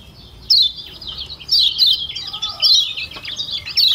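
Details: Thick-voiced Lombok white-eye singing emphatic high chirps about once a second, woven into a continuous thin twittering warble, with a faint low whistle in the middle.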